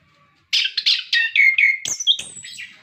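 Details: Caged orange-headed thrush singing a song used to prompt captive birds: a fast run of rich, scratchy warbled phrases with clear whistled slurs and high thin notes toward the end.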